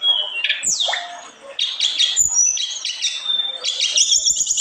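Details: A very vocal olive-backed tailorbird sings bright, high notes: a sharp descending whistle, then quick clusters of ringing chips and trilled phrases, delivered almost without pause.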